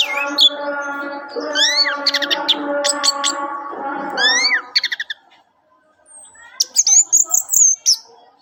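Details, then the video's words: Orange-headed thrush in song, delivering rising swooping whistles and clustered sharp ticks over a low droning hum, then a short pause before a bright burst of fast, high notes. "Kumpulan kicau anis merah"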